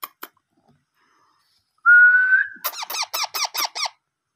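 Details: Parrot chicks during hand-feeding: a few soft clicks, a steady rising whistle, then a quick string of seven arched, ringing begging squeaks.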